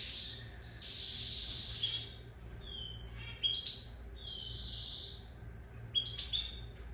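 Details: A Lizard canary (Serinus canaria) sings in fast, buzzy rolls and trills broken by sharp, high whistled notes, the phrases running on almost without pause over a faint low hum.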